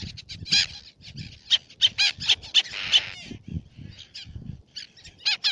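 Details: Black-naped tern at Baa Atoll Fares, Maldives: loud, clipped, high-pitched kik notes in fast rhythmic runs with one longer grating call midway, little background noise.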